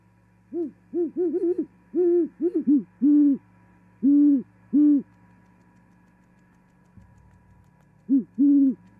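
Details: At a Montana osprey nest in Charlo, 18 January 2021, a great horned owl pair sings during the female's arrival and mating: a quick run of overlapping hoots, then slower, evenly spaced deep hoots, a silence, and two more.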